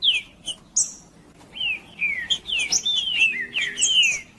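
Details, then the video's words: Green-winged saltator singing in the macheando style, used to warm up other saltators into singing: a run of slurred, descending whistled notes, each sliding downward, with sharp high chirps and clicks between them. "Trinca ferro cantando Para Esquentar Trinca ferro"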